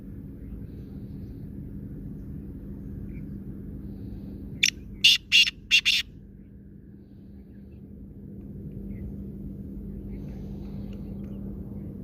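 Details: Black francolin, locally kala teetar, delivering one burst of four or five harsh, scratchy notes over about a second and a half, then silence apart from a constant low background hum.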